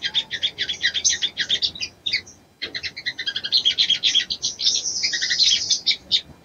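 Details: Female sogon calling the male to arouse him, an almost continuous, hurried stream of high chattering chirps with a brief gap mid-way and a buzzy sustained stretch near the end.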